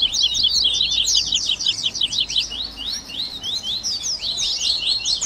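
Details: Double-collared seedeater baderna song of the tui tui type, used to warm up and train captive birds: a rapid, unbroken stream of sharp, high chirped notes at about three per second, slurring up and down.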